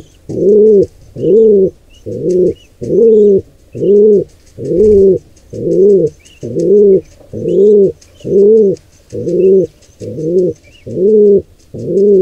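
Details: Low, hollow pigeon notes pulse steadily, about fourteen in twelve seconds, at a wild nest during an intruder pair's attack on a nestling; thin, high chirps of other birds sound faintly behind.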